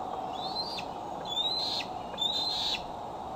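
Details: Female bald eagle at Decorah, on her branch at 8:44 pm in July 2011 after receiving a transmitter, recorded by a nest cam: three soft, high whistled calls, slightly rising, each fading downward.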